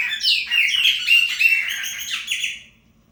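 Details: Chopi blackbird ('preta fumaça') marking territory with song: a dense, bubbling warble of rapid whistled and gurgled notes, about three per second, fading out after two and a half seconds.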